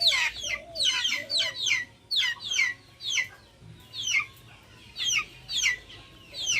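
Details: Backyard chickens: shrill, sharply falling peeps come in quick bursts about once a second, with low, soft, wavering clucks underneath and a faint outdoor background.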